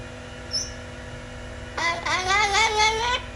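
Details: Pet blue-fronted amazon parrot giving a drawn-out, wavering, harmonic call of about 1.5 seconds with pitch rising and falling in quick pulses, after a brief faint high squeak; quiet indoor hum.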